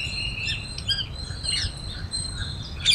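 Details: Flock of parrots feeding on grains in Cubbon Park, Bangalore, Karnataka, India; scattered high chirps and short tweets overlap, with a steady low rumble of park noise beneath.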